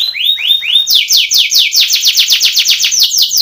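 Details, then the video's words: Canary training song for contest, Belgian canary: a few upward-swooping notes lead into a fast, loud series of downward-sweeping whistles repeated evenly several times per second. "canary training song for contest / canto Canário belga cantando"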